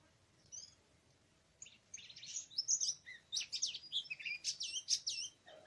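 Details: Oriental magpie-robin singing in the wild in a forest on 24 March 2017, recorded during bird trapping. Quiet notes give way to a fast, varied run of high chirps, trills and whistles with steady energy.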